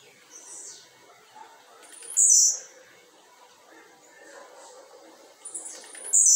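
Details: Blue-black grassquit placed outdoors on a Tuesday afternoon around a quarter past five: two loud, high, buzzy song bursts about four seconds apart, with softer faint chirps and low rural background noise.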